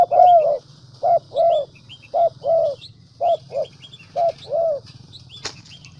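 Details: Spotted dove, a prized decoy bird from Vietnam's Central Highlands, giving deep, hoarse coos in short groups of two and three notes, about one per second. Small high chirps of other birds and a steady low hum sit behind.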